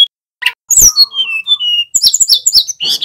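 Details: Tledekan gunung flowerpecker male singing: a buzzy chip, a high swooping whistle sliding down in steps, then a rapid chatter of clicks and high chirps.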